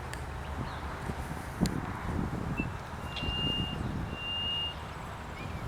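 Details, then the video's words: A Little Grassbird in reeds around a lake in Karkarook Park, Heatherton, suburban Melbourne, Victoria, Australia, gives thin, flat, high whistles, a brief note then two longer level ones, like a reversing-truck beeper, over steady low rumbling noise. "Australian bird sound like reversing truck"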